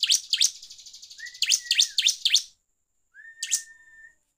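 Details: Bar-winged prinia song played as a lure to provoke rival birds: sharp, descending high chirps in a quick series, interrupted by a thin, level, sustained whistle, then a lone chirp with another long whistle.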